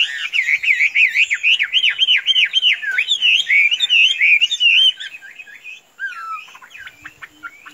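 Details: Tame Chinese hwamei, a kept bird described as tame as a chicken and able to be let loose without flying off, singing fast looping whistled notes about four per second, then varied slurred phrases and short chips.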